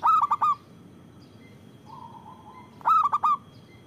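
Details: Loud local zebra dove, kept as a lure and to prompt other doves to sing: a vigorous stuttered coo phrase, a soft low wavering coo in between, then another rolling phrase of four hoots.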